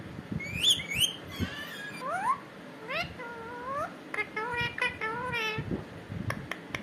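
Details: Pet parrot said to be talking, repeating the word "katore": a series of harmonic, rising and gliding vocal sounds, some sharply upswept and others level warbles, over steady room noise and low rumbling.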